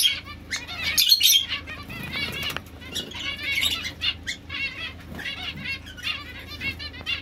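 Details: Buzzy, rapidly repeated chirps from domestic Society finches, slurred harmonic notes packed closely together with some louder peaks, plus soft fluttering and low hum.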